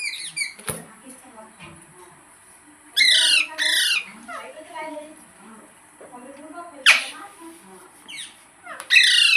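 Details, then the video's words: Green parrot indoors giving harsh, descending squawks in short bursts, with quieter murmuring vocal sounds between them. "Green Parrot Talking Natural Sounds | Tote Ki Awaaz | Mitthu Ki Awaaz"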